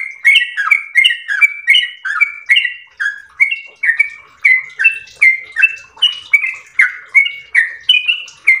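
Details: Yellow-vented bulbul giving an extended ropel song, a lively stream of over twenty short whistles rising and falling between two pitch levels at a brisk, uneven pace.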